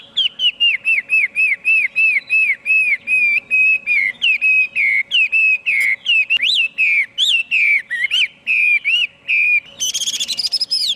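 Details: Chinese hwamei repeating one clear, dipping whistled note over a dozen times in a steady rhythm, then shifting to varied slurs and rising whistles, ending with a burst of scratchy high notes.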